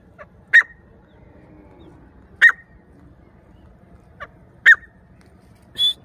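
A grey francolin gives loud, harsh, ringing notes about every two seconds, each preceded by a softer note, over a low steady rumble.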